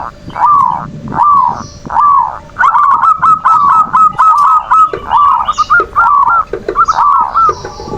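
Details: Perkutut, the zebra dove, in manggung song as a lure for lustful, emotional calling; rolling, slightly upslurred cooing notes, first spaced then tumbling into a dense overlapping chorus, over a constant low hum.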